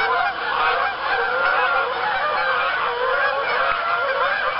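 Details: Evening chorus of geese at a pond somewhere in Arkansas, October dusk, more geese flying in to land; thick layered honks, harsh and nasal, overlapping without a break.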